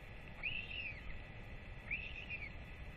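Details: Northern royal albatross chick being fed by both parents after a rangers' weight check, on 8.10.24, having left its nest in early July; two faint arched, whistled calls about 1.4 seconds apart over a steady background hiss.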